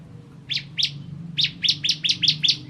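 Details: Bar-winged prinia (ciblek kristal) giving two separate sharp high notes, then a quicker run of six similar chips, over a low background hum.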